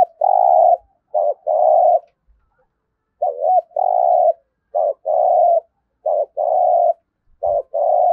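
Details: Spotted dove cooing rapidly in the 'thúc gù' urging style used to train decoy birds daily: brisk repeated pairs of a short clipped note and a longer purring coo, about six pairs in eight seconds.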